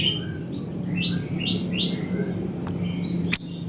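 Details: Siri-siri recorded near a house in Busu Reului, Mutiara, Pidie, Aceh, singing loudly: a run of short whistled notes sliding upward, repeated about every half second, then fainter lower notes and one sharp high chip near the end.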